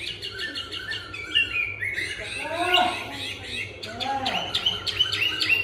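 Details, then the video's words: Chinese hwamei in a cage, newly brought in and turning its rump as it sings: short high whistles mixed with lower slurred sweeping notes, loudness rising and falling. "Họa Mi "quay mông" hót mà giọng dẻo kẹo mới về hôm nay"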